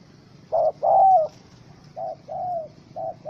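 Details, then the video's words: Angry spotted dove (Spilopelia chinensis) in a wild bird rope trap, recorded 04/07/2017: low cooing notes in pairs, a short hoot then a longer one, repeated, the later pairs softer. "Sound Of Angry, Wild Bird Trap With Small Rope: Birds Spotted dove(Spilopelia chinensis)"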